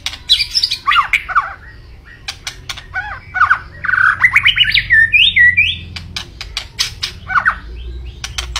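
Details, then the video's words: White-rumped shama in full, vigorous song: rich whistled phrases sweeping between low and high pitches, rising runs and slurred notes, mixed with sharp percussive clicks and a low steady hum underneath. "Kicau Burung Murai Batu Gacor"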